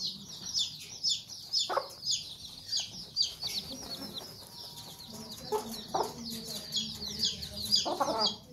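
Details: Protective Sussex mother hen with chicks, sharp clucks breaking through a continuous chorus of shrill chick peeps repeated about twice per second.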